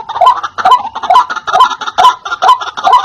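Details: White-breasted waterhen lure call, loud and clear, meant to draw in wild birds: harsh, nasal 'wak' notes delivered in a fast, even series of roughly two per second.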